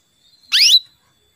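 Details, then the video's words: Female canary calling to a male, a lure for getting males to sing: a single loud, buzzy chirp sweeping upward, with a thin steady whistle before and after. "PANCINGAN KENARI BETINA MEMANGGIL JANTAN PALING DAHSYAT"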